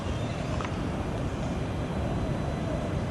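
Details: Steady low rumble of passing traffic, with no animal voices heard.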